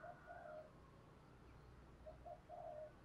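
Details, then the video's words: Spotted dove cooing, a lure recording meant to call in and provoke wild doves: two phrases of soft, low, hollow coos, each a short note followed by a longer drawn-out one, over steady background hiss. "cu gay giong tho cuc dinh, tiếng gáy gọi và thúc"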